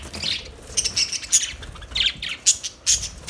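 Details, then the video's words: Budgerigars chirping in quick, uneven bursts of buzzy chatter mixed with sharp high squeaks, roughly two or three per second. "Budgies Chirping Sounds Beautiful Parrot Sounds"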